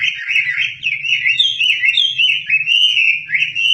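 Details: Chinese hwamei (wambi) in full song, suited to tutoring shamas: an unbroken, loud, high warble of rippling, slurred whistles that rise and fall continuously, with a soft low hum behind.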